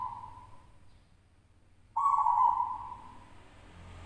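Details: Zebra dove at a local singing contest, the first-place bird from West Java. A fading coo tail gives way to a fresh, loud, level coo lasting well over a second, with a soft murmur beneath.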